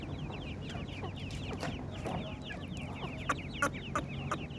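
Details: Chorus of partridge chicks giving quick, thin, downward-sliding cheeps in a dense stream, with occasional clicks over soft background hum.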